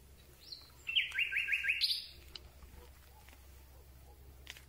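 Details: Night song of a Common Nightingale, recorded at very close range: a brief high note, then a quick series of five or so loud descending whistled notes ending in a higher flourish, followed by faint background clicks.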